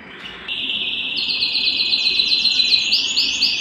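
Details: Canary at home, excited and wanting to mate, delivers a sustained rolling trill that starts abruptly and runs steadily, overlaid by rapid upper chattering and a string of quick rising whistled notes near the end.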